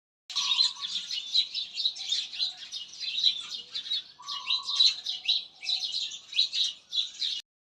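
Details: Small birds chirping and twittering in a natural setting, with dense high-pitched trills and tweets running almost continuously and a lower buzzy note breaking in twice.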